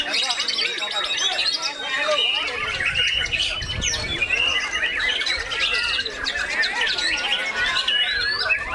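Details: White-rumped shama performing a bowing display while singing in the ngecun style in Magetan: a dense, busy torrent of high whistles, chatter and sharp squawky notes with hardly a pause, over a faint low rumble.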